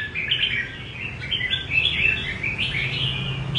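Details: Short burst of red-whiskered bulbul song in the rê cầu manner: bright, slurred notes rising and falling in a fluid warble, with a faint droning hum underneath.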